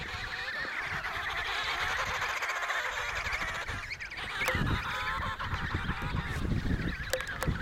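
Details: Many emperor penguins calling together at the Riiser Larsen colony, Antarctica, in November 2010; layered harmonic trumpeting and wavering calls, with sharp clicks and wind bursts later on.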